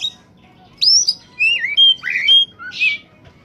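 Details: Oriental magpie-robin (kacer) singing strongly, used as a lure for wild birds: a clear phrase of bright slurred whistles, some rising and some dipping, ending in a buzzy note and a soft low whistle.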